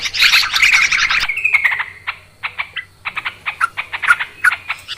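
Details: Yellow-vented Bulbuls in noisy calling, recorded clearly as a lure for trapping birds; a dense burst of chatter breaks into a short slurred whistle, then separate sharp chirps roughly every third of a second.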